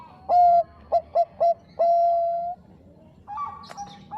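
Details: Bangkok zebra dove used as a master recording to provoke rivals. A loud phrase runs from a held note through three clipped notes to a long drawn ending. Faint cooing from other doves follows.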